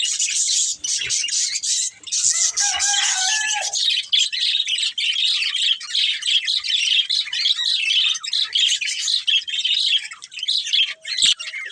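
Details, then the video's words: Constant high-pitched twittering from a breeding pair of budgies, dense and scratchy, with a short steady whistle early and a faint tone near the end. "Cute Budgies Chirping Sounds"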